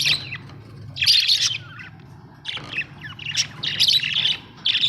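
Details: Budgerigars kept as home pets chatter in dense, scratchy bursts mixed with brief warbled notes, over a continuous low hum.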